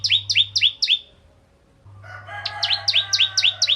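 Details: Ciblek kristal bar-winged prinia singing to coax other prinias into song; rapid paired high notes, each dropping sharply in pitch, about four per second, with a quiet gap and a faint low hum.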